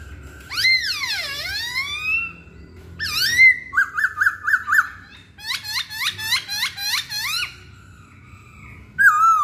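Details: Hwamei song with a long whistle swooping down and back up, a bubbling row of quick notes, then a series of rising slurred phrases and a final clear whistle.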